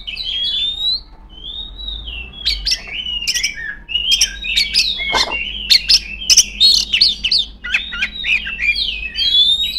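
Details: Female Oriental magpie-robin singing loudly while calling rivals. The song is a dense, varied stream of high whistles, slurred notes and sharp clicking chips, with hardly any pauses. A steady low hum runs underneath.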